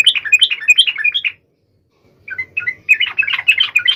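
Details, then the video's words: Yellow-vented bulbul singing to call a rival: a rapid tumbling phrase of bright, varied notes, a short silence, then a scattered start building into more fast chattering. "SUARA trucukan gacor MEMANGGIL LAWAN"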